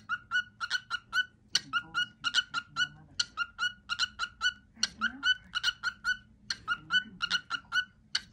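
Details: Male pet cockatiel sings his everyday favourite cookie song indoors. Quick, evenly spaced whistled notes repeat at a fixed pitch, and some slightly higher notes are mixed in. A low room hum and faint rustling sit beneath.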